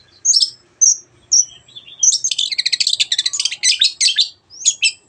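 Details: Lively Long-tailed shrike singing, a lure for birds that have stopped singing. Three separate high whistled notes, then a dense rapid chatter of buzzy, rattling elements lasting about two seconds, ending with two brief chirps.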